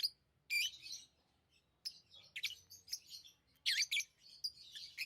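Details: Chirping from pet lovebirds: scattered thin high notes, then louder harsh squeaky bursts toward the end, over a soft low rumble.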